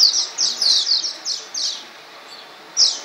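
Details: Chirping of swallows flying over Csíkszereda's Tudor district, a quick string of bright, high, slightly descending twittered notes, about six in the first two seconds, then a pause and one more loud chirp.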